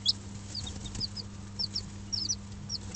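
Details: Five-day-old Dutch bantam and Barbu d'Anvers chicks in a brooder under an electric hen, giving scattered thin high peeps over a steady low electrical hum.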